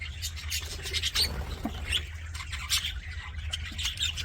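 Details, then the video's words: Budgerigars chattering in an aviary with bright, short chirps and a few rising squeaks, partly veiled by a stronger low rumbling background. "HAPPY BUDGIE SOUNDS FOR LONELY BUDGIES"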